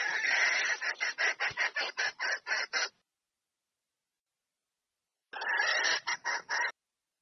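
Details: Red junglefowl hen calling a rooster to mate: a long chain of rapid, rough cackling pulses, roughly two to three a second, then silence and a shorter second bout of harsh notes.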